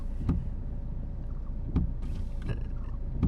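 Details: On a rainy day in northern Thailand, low rumbling is heard with a few dull knocks roughly every three-quarters of a second, and no animal sound.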